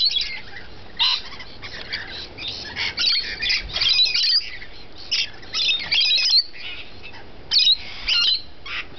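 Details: Rainbow lorikeets while feeding utter short, shrill squawks and screechy notes in irregular clusters, some sharp metallic shrieks standing out.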